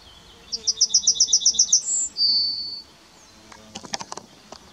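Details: Song of a Yellowhammer recorded 23 July 2021 at Kotthausen near Beyenburg in Wuppertal, Germany: roughly nine quick identical high notes, a short higher note and a long sustained ending note, followed by a burst of sharp ticking sounds.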